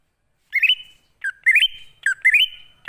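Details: Greater green leafbird lure in wild style: three stepped, rising warbled phrases, each ending in a drawn-out whistle, separated by short pauses.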